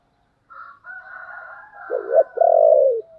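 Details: Cooing of a spotted dove meant to make wild doves coo back: a faint higher drawn-out note runs first, then two low hooting coos and a long falling coo, ending with a soft tail note.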